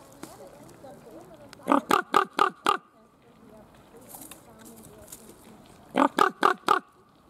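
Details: Captive common raven at Schönbrunn Zoo in February 2020, recorded on a Panasonic HC-V270 camcorder: two quick bursts of five short, clipped calls in fast succession, separated by a pause filled with soft background murmur.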